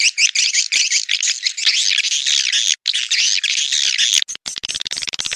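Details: Edible-nest swiftlet lure call for the rainy-season breeding period: dense, high, buzzy twittering chirps run almost without pause, with a burst of quick dry clicks at the end.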